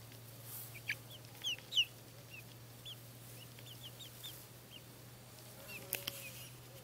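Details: Buff Orpington chicks a month old peeping: short high downward-slurred chirps, a few louder ones early and scattered softer ones later, with a constant low background hum.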